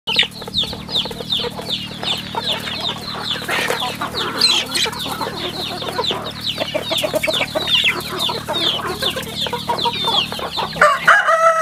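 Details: Chicks on a rural chicken farm: a dense, continuous chorus of high, downward-sliding peeps from many birds overlapping, with a low steady hum underneath throughout.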